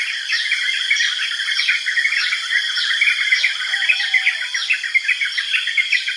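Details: Yellow-vented bulbul calls: dense, bubbly chirping chatter in a mid-high band, with a separate series of sharp descending notes repeated roughly every half second above it, over a steady insect drone.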